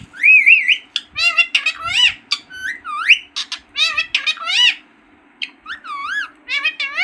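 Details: Green parrot talking, opening with a wavering whistle, then quick speech-like harmonic syllables and upswept notes, a pause, and more arching calls, over a low steady hum.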